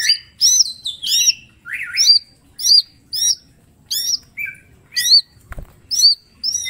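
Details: Mini green leafbird in full song, delivering sharp 'tembakan' bursts for use as a training master: rapid bright downslurred whistles and chirps in short separated bursts about every half second, with one loud click near the end.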